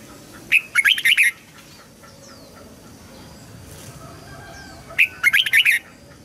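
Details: Red-whiskered bulbul song meant to help young birds learn and stimulate new wild-caught birds: two quick bursts of chattering, warbled notes about four seconds apart, over a low rumbling background.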